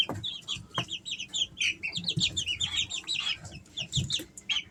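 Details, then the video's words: Three-week-old Easter Egger chicks producing a steady flurry of thin high peeps, arched and trilled, many overlapping, with occasional low knocks in the background. "Sounds of baby chicks"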